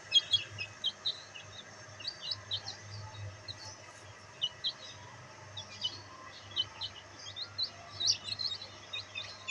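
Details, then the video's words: Bantam chicks, black in colour, enjoying sunlight, utter bursts of sharp high peeps in small clusters throughout, some louder than others, with a soft low hum. "Bantam Chicks Enjoying sunlight |Black Bantam Chicks |Chicks Chirping Sound"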